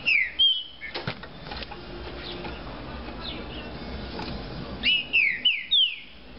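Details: Caged Green-winged saltator described as a spirited 'de fibra' bird, kept in legal captivity: short bursts of loud, clear whistled notes sliding downward, a phrase at the start and a quicker run of four or five near the end, separated by a quiet stretch with low background hiss.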